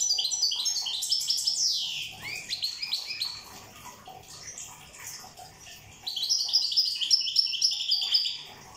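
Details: Corsican European goldfinch singing: rapid tinkling, twittering phrases high-pitched and dense, with fast trills and a brief downward slur near the two-second mark, a quieter stretch of softer notes, then another bright twittering burst; water-like splashing faintly underneath.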